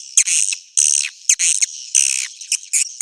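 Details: Edible-nest swiftlet roosting call, played to attract swiftlets: short harsh, buzzy high bursts about half a second long, separated by brief quiet gaps.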